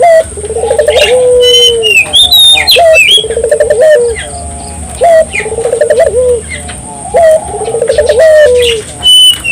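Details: Barbary dove singing in a lively, energetic style, used to stimulate local doves to sing: low coos that open with a quick pulsed roll and end in a falling drawn note, repeated about every two seconds, with high chirps from other birds.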